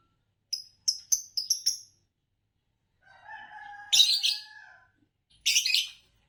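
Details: Green Fischer's lovebird, an Indonesian competition champion, rattles off five quick high chirps, then a drawn-out nasal note and two harsh buzzy bursts.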